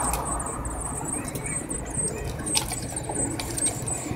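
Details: Eurasian blue tit nestlings aged 7–9 days being fed, begging with thin, very high squeaks repeated in quick bursts over a steady rustling, muffled background.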